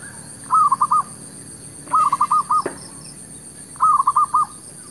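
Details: Decoy zebra dove luring wild doves near shops. Three phrases of five staccato, mellow hooting notes each, roughly one and a half seconds apart, over low ambient hum.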